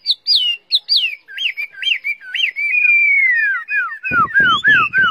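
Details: Tame caged Chinese hwamei singing strongly while its cage is carried: loud clear whistled notes in quick repeated rising-falling phrases, sliding into a long drawn whistle, then rough buzzy notes mixed with more whistles near the end.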